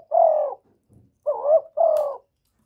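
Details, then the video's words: Spotted dove (cu cườm) cooing, recorded without background noise: a long falling coo, a brief soft rustle, then a two-note phrase of a rising wavering coo and a steady falling one, with one sharp click. "Chim Cu Gáy GỌI+THÚC+GÙ"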